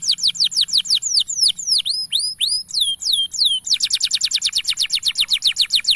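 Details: Caged male canary singing steadily to teach young birds: ringing high downslurred whistles, some paired, leading into a rapid even trill of short sharp notes.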